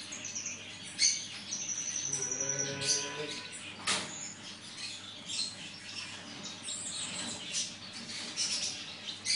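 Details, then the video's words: Black siskin from Bolivia singing a fast, high twittering song with buzzy trills and sharp chirps. A brief low droning tone sounds midway, and a faint steady hum runs underneath. "tarin noir de Bolivie"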